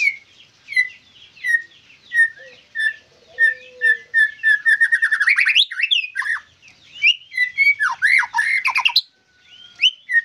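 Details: White-rumped shama in captivity giving a long, varied song: spaced whistled notes that speed into a rapid accelerating trill, then sweeping slurs and chips, ending in a brief pause.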